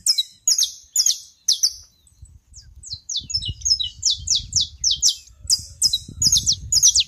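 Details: Saffron finch song recorded on a farm plot in Brazil, bright high chips and slurred notes chained into a fast, rapid series, with a low rumble of background noise underneath.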